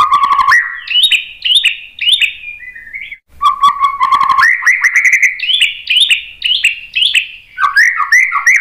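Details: White-rumped shama song used to make other birds respond. Rich whistled phrases rise and fall in quick succession, with trilled passages and one short pause midway.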